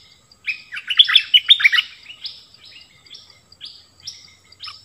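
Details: Bulbul song of rapid, liquid, bubbling notes tumbling up and down in a dense burst, followed by a sparser string of clear, short whistled phrases spaced about half a second apart.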